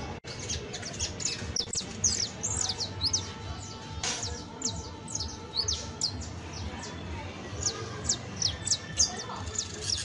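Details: Saffron finch, an exemplary creole canary, giving long strings of high, sharp downslurred notes in irregular bursts, with a click near the start and a noisy, humming background.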